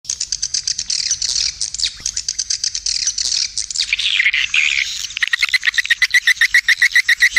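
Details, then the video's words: Swiftlet calling sound used as a lure for feeding areas and flight paths, mixed in stereo with supporting calls: dense high twittering chatter, then from midway a steady run of sharp repeated chirps, several per second. "Swiftlet Calling Sound"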